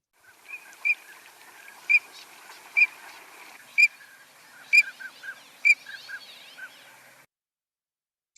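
A Green-winged Teal drake gives six loud, high, clipped peeps, about one a second, over soft chatter from other waterbirds.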